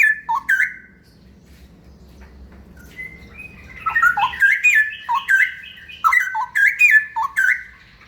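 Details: Ropel-style song of a straw-headed bulbul (cucak rawa): a brief opening phrase, a pause, then a long run of loud, tumbling, liquid whistles delivered almost without a break.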